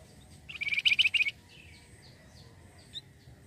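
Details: Flamboyan bird in full voice, used to pull in other birds: a short burst of about nine fast shrill chirps, followed by soft scattered high notes and a lone chip.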